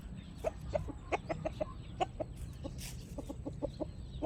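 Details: Chickens at home clucking: a rapid series of short, low clucks, roughly several per second, over a noisy low rumbling background.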